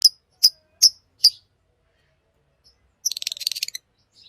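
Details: A green Fischer's lovebird singing: four sharp, high chirps about every 0.4 seconds, a pause, then a quick burst of rapid ticking twitters.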